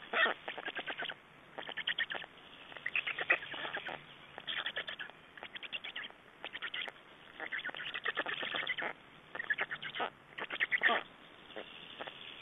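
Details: Black storks at their nest in Estonia, 3 June 2011, during exchange and feeding: near-continuous harsh, rattling chatter, bursts of rapid clipped notes following one another with only brief pauses.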